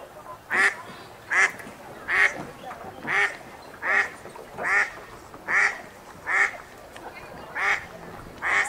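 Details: Wild ducks on a city park river, eating and splashing, give a steady series of loud, harsh quacks about every 0.8 seconds, eleven in all, each a nasal honking burst over a soft background of water.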